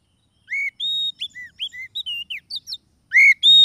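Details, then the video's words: White-rumped shama song used as a lure for trapping wild birds: clear whistled notes around rising and falling arcs, steady high whistles and quick varied phrases, a pause, then loud whistled notes again; no other sounds. "SUARA PIKAT KACER PALING AMPUH"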